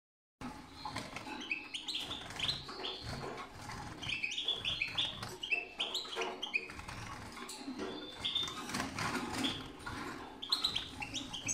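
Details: Captive lutino European goldfinches, Carduelis carduelis parva, being readied for the 2022 breeding season, give a busy, tinkling twitter of quick high notes with short liquid trills and occasional wing flutters throughout.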